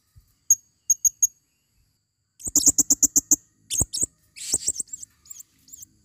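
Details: Female blue-crowned hanging parrot calling as a lure in the forest. Three or four thin high pips lead into a fast, dense chatter of about ten sharp notes, followed by scattered squeaky, wavering shrieks.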